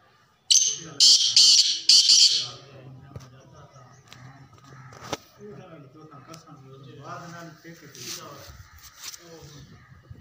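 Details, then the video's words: Black francolin, known locally as kala teetar, calling in a burst of about four harsh, grating, high notes over two seconds, then a man talking quietly with faint background noise. "Black Francolin kala Teetar ki Awaaz"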